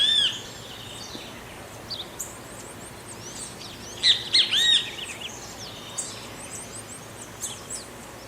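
Great kiskadee giving loud, shrill, bright calls in short bursts, with a cluster of harsh notes midway, over steady background hiss and other faint chirps.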